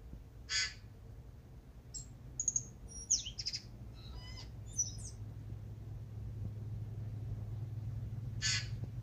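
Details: Tūī in Manawatū, New Zealand, waking before sunrise: scattered early-morning calls, short rasping bursts, high whistled notes and quick up-and-down sweeps with pauses between them, over a steady low rumble.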